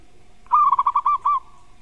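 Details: Zebra dove champion master song in the 'kuk' style, used to provoke a rival into answering: a short rapid series of about seven mellow cooing notes, the last one slightly separated, in a quiet setting.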